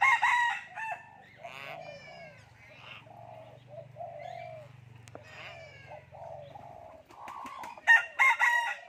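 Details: Common hill myna mimicking human words: a series of nasal, vowel-like phrases and buzzy rising sweeps over a low steady hum, ending with sharp, loud, clipped calls.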